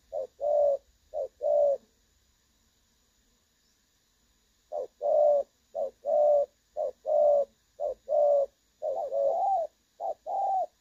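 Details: Clear-toned 'đồng son' call of a spotted dove, kept as a decoy recording for trapping. A few paired coos come first, then about two seconds of quiet, then a steady run of short-then-long low coos.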